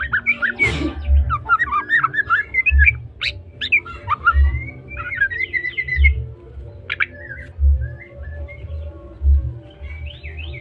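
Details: Trotol-style song of a Medan white-rumped shama: clusters of quick chirps and twisting whistles, with a sharp rising sweep near the start and a pulsing low hum beneath.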